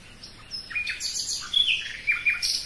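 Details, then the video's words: A common nightingale delivers a brief run of varied chirps and slurred whistles, some dropping in pitch, closely spaced over under three seconds. "Пение соловья"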